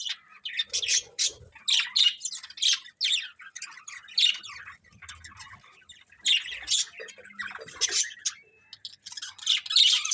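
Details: Several budgerigars give harsh squawky chirps and warbling chatter in irregular bursts, with quieter stretches between louder calls.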